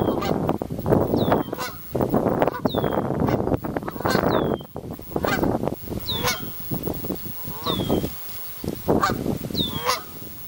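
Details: Canada goose families call over about ten seconds, with clipped nasal honks arriving every second or two alongside sharp, high, descending calls and a constant wash of low rumbling noise.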